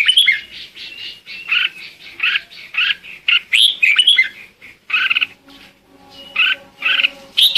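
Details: Red-whiskered bulbul singing as a lure to call the flock: a continuous stream of quick warbled and chirped notes, lively and high, with a faint steady humming tone in the background midway.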